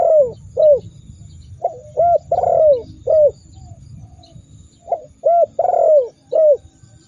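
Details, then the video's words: Spotted dove cooing as a rival-provoking recording: short hoots and long falling coos in loose repeated phrases, roughly three series with a gap in the middle, over steady low background noise. "Masteran burung tekukur super dahsyat membuat lawan ikut gacor mendengkur ngamuk"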